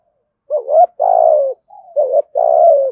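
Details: Spotted dove calling to stir other doves to answer, with a series of four or five mellow, low coos in quick succession. The longer notes are drawn out and slightly falling, with clean silence around them.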